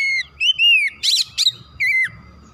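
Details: Oriental magpie-robin singing in a therapy recording meant to excite a kacer into full song: loud sliding whistles broken by two harsh, broadband rasping notes, then a falling whistle.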